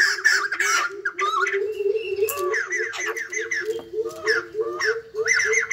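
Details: ['Singing, dancing white-crested laughingthrush heard as a cackling chatter of rising squawks in short bursts, accompanied by prominent low, evenly repeated hooting pulses from another bird.']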